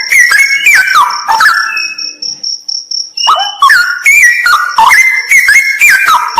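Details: Straw-headed bulbul singing in a haunted ravine: loud, rich warbled phrases sliding between low and mid pitch, pausing about two seconds while a steady high insect-like whine continues, then resuming with rapid bubbling notes.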